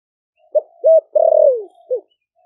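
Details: Deep-voiced 'thổ đặc' cooing of a caged spotted dove from Ninh Thuận, caught wild four months earlier, calling other doves in: one phrase of a short note, a rounded arched coo, a long sliding-down coo and a short final note.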